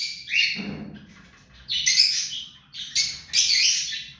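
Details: Hand-tame pet ring-necked parakeet calling in a quiet room: a harsh, noisy squawk at the start, then two more loud raspy bursts after a pause, each rough and high-pitched, with faint low hum underneath.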